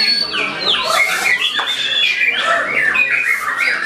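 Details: Singing white-rumped shama starting to answer a rival: rich, fast whistled phrases sweeping up and down, with sharp chattery notes and layered overlapping song filling the whole stretch.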